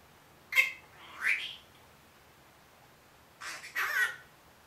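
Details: A one-year-old pet Senegal parrot imitating human words like "good morning". Hoarse, squawky syllables come in two pairs, one pair early and one near the end. A short rising, whistled slide sits in the first pair.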